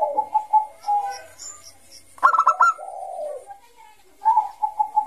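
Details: Zebra dove, Bangkok type, singing ngayer song for luring young doves: one clear rapid clicking trill and a burring coo between softer repeated coos, with faint voices in the background.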